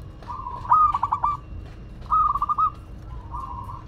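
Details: A local zebra dove from Madura singing two loud, fast rattling coo phrases at a steady pitch, with a soft third phrase trailing off and faint background doves.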